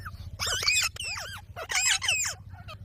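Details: Green parrot talking, saying "Mummy": quick bursts of squawky, sliding syllables with bending pitch in two short phrases, over a steady low hum.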